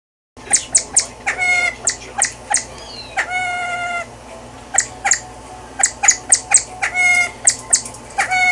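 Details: Male Siamese fireback singing at Antwerp Zoo, Belgium: a rapid run of short, harsh, nasal notes, several a second, with a couple of longer drawn-out calls in the middle.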